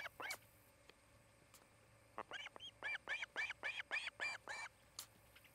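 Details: Osprey at a nest near Charlo, Montana: a couple of scattered chirps, a pause, then a fast burst of arched, slightly harsh whistled notes, several per second, over faint background hum.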